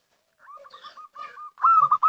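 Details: Local zebra dove lure call: quick, soft coos in a steady row, ending in a loud, rising, trilled coo that breaks into rapid beats.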